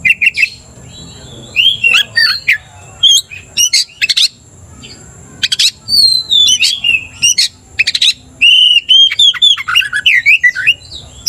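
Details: Oriental magpie-robin singing to stir another magpie-robin into aggression: sharp clicks and chips mixed with slurred whistles, then a lively stretch of repeated upswept whistled notes near the end.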